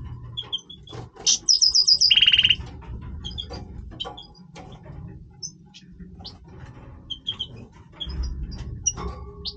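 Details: Major goldfinch in breeding voice: a sharp rattling trill that drops in pitch partway through, followed by scattered soft twitters over low background hum.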